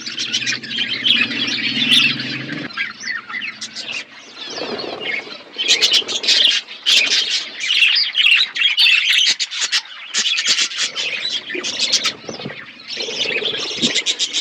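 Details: Flock of pet budgies chirping while feeding: busy warbling chatter with sharp clicks and squawks, a low hum early on, and bursty rhythm throughout.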